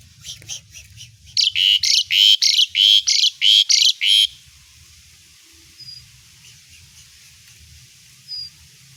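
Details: Loud burst of harsh, rapidly repeated chattering notes from an Asian pied starling, recorded as song material for training other songbirds, lasting about three seconds and then fading to near silence with two faint high whistles.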